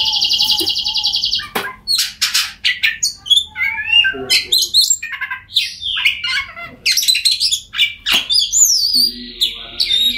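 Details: Oriental magpie-robin song played to prompt silent birds to sing: varied, loud mix of whistled slurs, harsh buzzy bursts and rapid chattering notes, with a rolling trill at the start and high sweeping whistles later.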